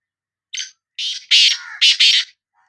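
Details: Black francolin of the Sindhi kind gives a loud, grating phrase: a short opening note, then four harsh, buzzy, rasping notes in close succession, over in under two seconds.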